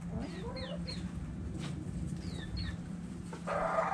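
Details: Chickens and roosters dirt bathing, with short clucking notes and rising, sliding calls early on and a pair of thin high chirps midway, over a steady low hum and a burst of broadband rustling near the end.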